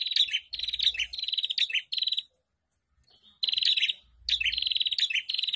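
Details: Prinia chorus recording (ombyokan) meant to stimulate caged prinias to sing: sharp, high chattering trills in repeated bursts, with a clear pause of about a second midway and soft low knocks beneath.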